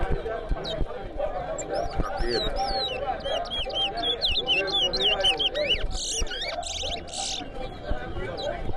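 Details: Chestnut-bellied seed finch (towa towa) sings at a bird-singing competition at Lusignan bird ground: a fast run of sweet, slurred whistles and chirps, rising and falling over a steady murmur of crowd voices.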